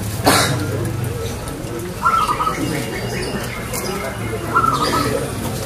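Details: Zebra dove (perkutut) in active song, a clear 'crystal' voice: two short bursts of rapid, bright, evenly spaced coo notes about two seconds apart, over a steady low hum with a sharp click near the start.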